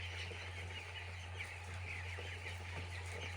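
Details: High, twittering peeps from numerous chicks on a poultry farm, a few sharper up-slurred chirps emerging from the dense chorus, with an even low hum throughout.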